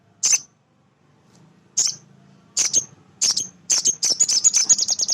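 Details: Male sunbird in energetic 'gacor' singing, used to excite untrained birds: spaced piercing chips that quicken into a rapid, dense chattering trill at the end, over a soft low hum.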